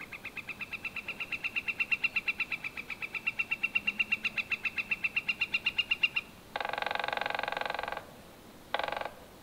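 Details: Northern flicker giving a long run of loud, evenly repeated sharp notes, about six per second, for six seconds, followed by two bursts of rapid wood-pecking, one long and one short.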